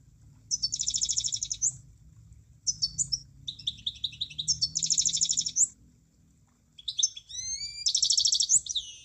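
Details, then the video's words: Munia song in bursts: dense buzzing trills of high notes and short chirps. Later come thin, rising whistled strokes. A low rumbling hum runs underneath. "Kicauan Burung Emprit"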